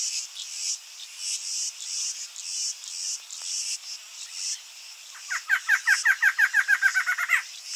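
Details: Barred antshrike song: after several seconds of steady, shrill insect buzzing, a fast run of about fifteen nasal, hooked notes begins, speeding up and climbing slightly to a final emphatic note, while the insects continue behind it.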